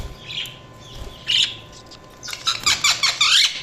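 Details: Budgerigar chirping, scattered scratchy notes and then a rapid run of clipped chirps and squeaks, with a low constant hum behind.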